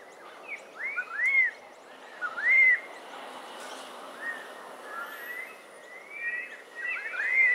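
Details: Flock of yellow-tailed black cockatoos feeding on pine cones, Botany, March 2012: a series of short, arched, whistled wails and softer trailing notes, spaced irregularly about a second apart, over constant background noise.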